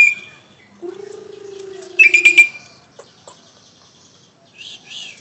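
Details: Asian pied starling in Indonesia singing a varied phrase: a high whistle, a long low hooting note, a sharp ringing whistle, scattered clicks, then a brief harsh chatter.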